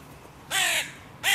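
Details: Crow at a park music pavilion where three breeding pairs' territories collide; one drawn-out harsh caw, then the start of another right after.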